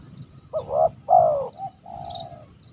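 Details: Spotted dove (tekukur) cooing: three low, hoarse, slightly rising-and-falling phrases, each roughly a third of a second long, with faint rural background murmur.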